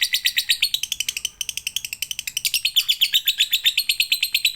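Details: Long, rapid lovebird chatter meant to prompt other lovebirds to sing, with shrill ticking notes pouring out almost three per second, breaking briefly once, then resuming louder and higher.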